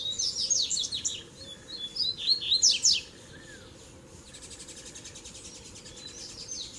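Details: Double-collared seedeater in Tui Tui, Zel Zel and Mateiro song styles for warming up other birds: fast run of high whistles and buzzy sweeps for three seconds, then soft rhythmic ticking.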